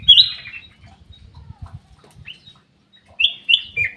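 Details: Black-capped bulbul kept in an aviary: one ringing whistled phrase opens, then a stretch of low rustling and faint chirps, before three sharp whistled notes close it.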